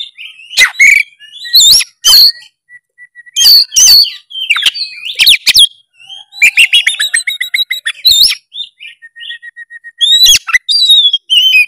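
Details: Gacor narung song of an oriental magpie-robin, aimed at setting a lazy bird singing. Loud sharp phrases come every second or two, then a rattling series of rapid notes and a steady held tone.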